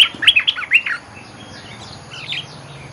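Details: Olive-winged bulbul lure song: a quick run of bright, bubbly chirping notes in the first second, then near quiet with a softer warbled phrase near the end; faint low hum beneath.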